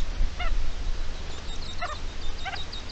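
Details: Red-legged partridge defending its chicks on 29 May 2023, giving three ringing, harsh calls roughly a second apart, with soft high chirps and low rumble behind.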